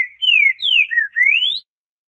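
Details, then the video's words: A Green-winged saltator sings a southern-style song: two falling whistled slurs, a short lower note, then a long rising whistle, all within about one and a half seconds. "Trinca ferro canto do sul"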